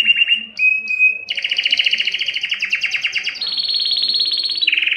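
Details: Canary training song, Belgian or Spanish timbrado: a trill with short whistled notes, then a long loud two-layered rattling roll, a high steady whistled tone, and a lower buzzy trill at the end.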